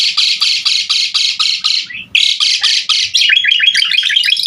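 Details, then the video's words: Asian pied starling in full vigorous song, used to teach other songbirds. Rough, buzzy notes repeat rapidly, break briefly, resume, then dissolve into a fast descending chatter. "Suara Jalak Suren Gacor Sangat Ampuh Buat Masteran Burung kicau Laen Nya"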